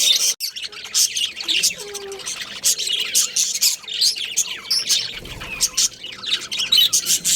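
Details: Breeding pair of budgerigars, Australian parrots, chattering busily: dense bursts of high, scratchy chirps and squeaks, overlapping and almost unbroken, with brief quieter gaps between flurries.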